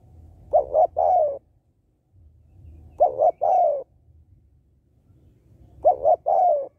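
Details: Female spotted dove cooing to stimulate males: three phrases about two and a half seconds apart, each pairing two short notes with a longer falling note, over soft low background rumble.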